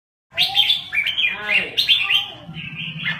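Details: Lao red-whiskered bulbul singing in rapid style: short bursts of bright, warbling, slurred whistles, rising and falling notes run together in a quick chattering phrase.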